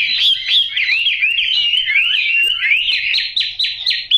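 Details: Yellow-billed, yellow-legged Chinese hwamei singing nonstop: rapid looping whistles and trills, ending in a row of repeated descending notes.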